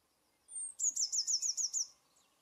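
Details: Eurasian blue tit (Cyanistes caeruleus) at a nest box during incubation, male feeding caterpillars to the female: a thin, very high drawn-out note, then a quick run of about seven bright, slurred notes in just over a second.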